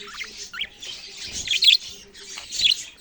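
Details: Budgerigars chirping in short clustered bursts of bright, scratchy tweets and a few quick rising whistles, separated by brief quieter gaps, roughly one burst a second.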